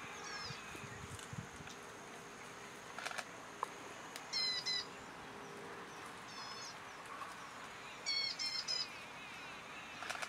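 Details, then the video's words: Red munia calling: brief clusters of thin, very high chirps near four, six and eight seconds, with long gaps between them, over steady background hiss and a low hum. "Red munia calling"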